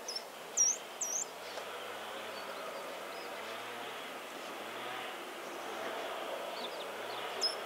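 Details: Short-toed treecreeper in the countryside of central France, Nouvelle-Aquitaine region, on 13 March 2018: two loud, very high, thin notes in quick succession near the start, a few fainter high notes at the close, over a steady rural background hiss.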